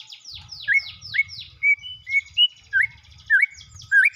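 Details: White-rumped shama in breeding condition singing loud whistled notes that rise and then dip, repeated about every half second. Rapid descending high sweeps run between them, over a low background rumble.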